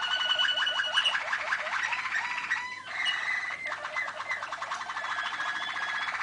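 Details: Malinois waterslager canary, recorded 2013, delivering rapid descending rolls that merge into a dense bubbling trill, a brief dip mid-phrase, then a steady continuous warble.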